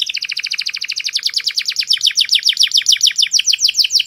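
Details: Canary masteran song, called very clear: one rapid, steady trill of repeated downslurred notes, about three or four per second, bright and high throughout.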